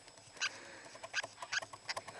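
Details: Lineolated parakeet in breeding season, calling indoors: a short run of four or five harsh, scratchy chirps spaced about half a second apart, fairly quiet against faint room noise.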